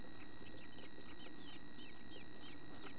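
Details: Chickadee babies in a nest box, almost ready to fledge, give rapid high chirps, roughly two or three each second, sharp and short, overlapping from several chicks above a low rumble.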